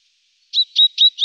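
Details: Great tit calls: four short bright notes at a high pitch, each bending slightly downward, evenly spaced about a quarter second apart, with silence behind them.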